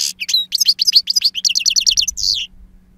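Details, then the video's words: Two-year-old European goldfinch, wild-song style with long calls and strong timbre: a fast, rhythmic series of bright, high twittering notes lasting about two and a half seconds, ending in a buzzy note. "Jilguero Reclamo Canto Silvestre Puro"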